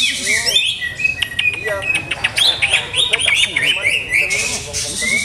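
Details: Greater green leafbird kept in a cage, still being trialled for its best conditioning, pours out quick varied whistles and sharp chips with upward and downward slides, densely packed, with background noise beneath.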